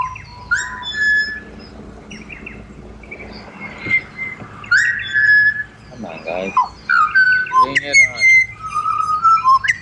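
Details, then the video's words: Sliding flute-like whistles from a pied butcherbird in Australia, separated by pauses, with people talking quietly in the background partway through. "BUTCHER BIRDS Serenade / Serenata de Pajaros Carniceros"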